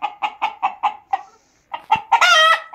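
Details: Rooster: five rhythmic clucks about a fifth of a second apart, a brief pause, then quick notes building into a long, loud, harmonic crow ending.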